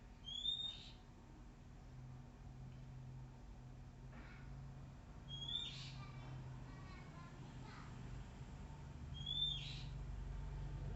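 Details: Oriental magpie-robin in the wild, described as shy but still singing, giving three clear, high whistled phrases spaced roughly four seconds apart, with faint rustling, clicks and low rumble between them.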